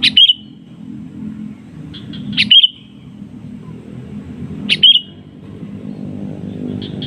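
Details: Calling sooty-headed bulbul answering a rival: three loud, bright bursts of sharp, quick chirpy notes, each about two and a half seconds apart, above a continuous low rumble.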